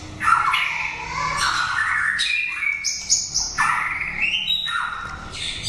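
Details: Prize-winning caged white-rumped shama, kept for song contests, giving drawn-out rising and falling whistled sweeps broken by harsh, squawky notes and short high accents, loud and continuous.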